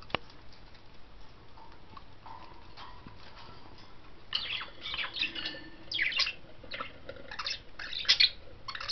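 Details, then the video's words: Five budgerigars loose on top of their cage investigating a toy barrel; quiet start, then rising busy chatter of short chirps and squawky warbles, with a sharp click at the start. "5 budgies out of the cage with a barrel"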